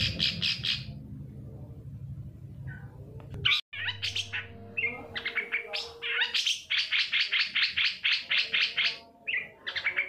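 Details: Long-tailed shrike singing in a recording meant to coax other shrikes into song: scattered chirps after a brief break, building into a fast run of sharp, clipped notes, with background hum early on.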